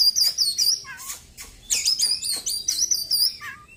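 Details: ['Post-moult caged Oriental magpie-robin, white-breasted type, singing hard: continuous bright, high, warbling phrases with quick slurred notes imitating small birds, broken by brief pauses.']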